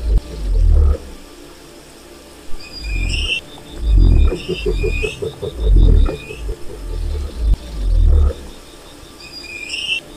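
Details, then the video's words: A wild cassowary booms repeatedly, low and resonant, roughly every two seconds, mixed with fast pulsed notes; short high whistled phrases from other birds recur over it. "O Canto do Casuar Selvagem"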